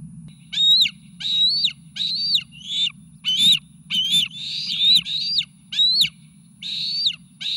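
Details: Bald eaglet triplets nearing fledge age at the Sauces nest, 29 May 2018, excited for an incoming meal: a loud series of high, thin, slightly rising whistled squeals, about one and a half per second, over a low mechanical hum.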